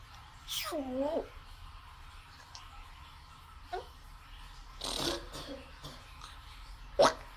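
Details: Caged pet African grey parrot speaking in Malayalam, calling to be let out of its cage. Several separate voice-like utterances are spaced a second or more apart, ending with a sharp short sound, in a small room.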